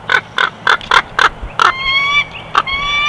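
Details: Bald eagle chortle at a Big Bear Valley nest cam, June 2021: a run of sharp, evenly spaced squeaky pulses, then thin, rising whistled notes with bright overtones, ending with one more pulse and whistle.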